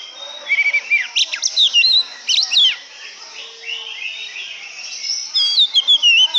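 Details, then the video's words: Oriental magpie-robin singing loud, varied phrases of clear whistles, slurred upward and downward notes and sharp chips, delivered in quick bursts separated by short quieter pauses. "burung kacer idaman"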